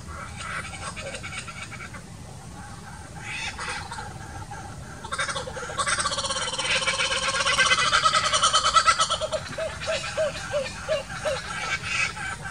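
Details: A young laughing kookaburra practising its call near an adult in the bush gives a harsh, rolling, rusty-saw-like cackle that builds to a loud peak, then breaks into a run of short, evenly repeated chuckles.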